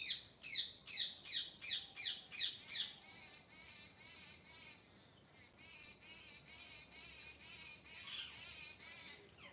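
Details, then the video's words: A bird singing in the morning: seven loud, evenly spaced downslurred chirps at about one every half second, then a softer warbling trill and distant twittering from other birds. "Morning Nature Sounds - Bird Sounds"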